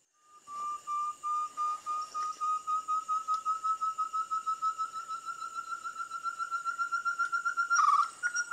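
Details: A Ferruginous Partridge (Caloperdix oculeus) sings at a hide near Kaeng Krachan National Park, Thailand: a long series of clear, hollow whistled notes, about four a second, creeping slowly upward in pitch and quickening, over steady high insect drones.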